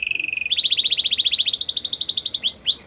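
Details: Canary training song for a silent bird: a steady tone gives way to rapid repeated chirps about twelve per second, stepping up in pitch, ending in two loud rising swoops.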